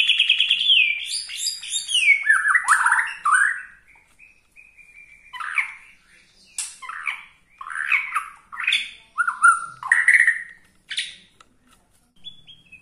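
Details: White-rumped shama, Borneo style, singing to provoke other shamas: a varied song of pure descending whistles and quick warbled phrases, broken by short pauses, with bursts coming roughly every second in the later part.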